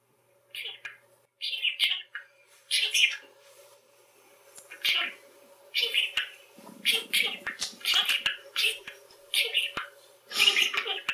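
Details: Pet male budgerigar talking to himself and his owners in Hungarian: a string of short, breathy chattered phrases and soft warbles, each a second or less, with brief gaps and a steady faint indoor hum.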